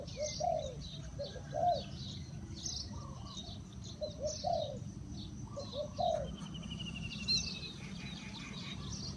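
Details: Spotted dove used as a decoy to lure wild birds, giving low hollow coo phrases about every one and a half seconds, each a short note or two followed by a longer drawn coo, with faint high chirps of other birds behind.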